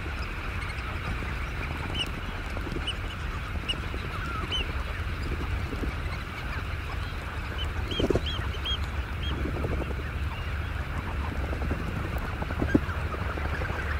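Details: Eurasian oystercatchers at a roost in the early morning give scattered short, high piping notes, often overlapping, with a few soft thuds of pre-flight wing flaps over a steady low rumble of wind or surf.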